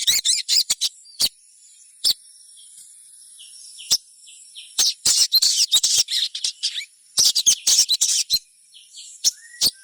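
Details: Sogon, or little spiderhunter, calling to prompt other birds to sing: rapid bursts of high, sharp chirps in clustered runs separated by short pauses, busiest toward the middle and near the end, with a faint steady high background tone.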